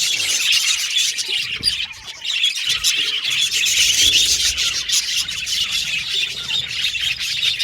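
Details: Budgerigars singing and chattering together: quick, irregular high chirps about four a second over a constant warbling background, with a short quieter dip around two seconds.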